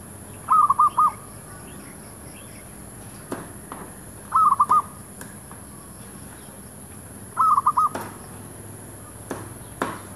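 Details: Zebra dove decoy luring wild doves near shops; three stuttering coo phrases of four to five notes, spaced about three and a half seconds apart, with scattered clicks and faint background chirps.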